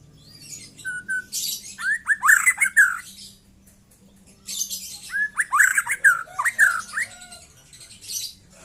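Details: Young white-rumped shama in 'trotol' song: two bursts of quick, looping whistled notes, each lasting about a second and a half, laced with rough, hissing high notes and separated by a brief quiet gap.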